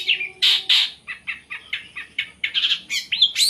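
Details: Captive long-tailed shrike singing a full varied song: a rapid series of short harsh bursts and whistled slurs, about four notes per second, ending on a rising clear whistle.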